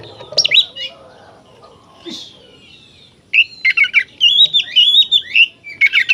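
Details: Oriental magpie-robin in full 'gacor' song, used to rouse other kacer into aggression and tail-spreading: sparse whistles and a harsh note, then a quick run of bright, warbled phrases with sharp chirps in the last three seconds.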